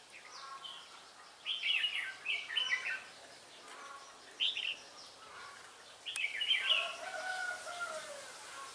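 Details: Red-whiskered bulbul used as a decoy bird while trapping at Ba Thá on 17 December 2016, singing quickly with changing phrases: short bubbly warbled bursts in clusters, with pauses between groups, over a steady hiss of outdoor background noise.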